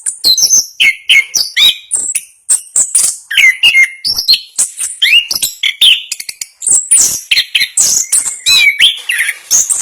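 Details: Orange-headed thrush, national champion contest bird, rattling off its speedy, dense rolling song: sliding whistles, sharp high chips and scratchy twitters repeated in quick, varied phrases.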